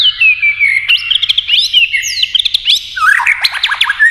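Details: Many-voiced fighting song of a white-rumped shama: a long descending whistle, then quick bright trills and slurs, and a rapid scratchy burst of chattering notes before a final rising whistle.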